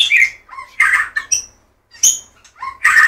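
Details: White-rumped shama song: dense, loud warbling bursts with rich harsh notes, a high thin whistle and quick rising slurs, packed closely with little silence.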